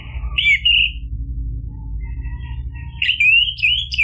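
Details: Orange-headed thrush in energetic 'ngeplong' style, played to provoke other birds into answering and as therapy for birds that stopped singing: two short whistled, warbling phrases separated by a pause with faint soft notes, over low background hum.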